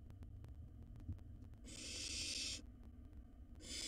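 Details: A wild barn owl chick in a monitored nest box devours a mouse whole, giving one long rasping hiss of about a second, with the next hiss starting near the end; faint low hum and a soft tap before it.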